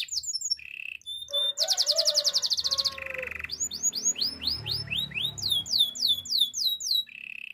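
A Spanish Timbrado canary sings varied, high phrases: metallic trills, a fast rolling rattle, then bright swooping whistled notes about four a second.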